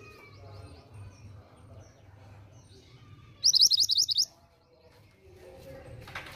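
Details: A female pied bushchat, used to get males to respond, delivers a single fast string of about seven piercing high notes midway, with soft background chatter and hum.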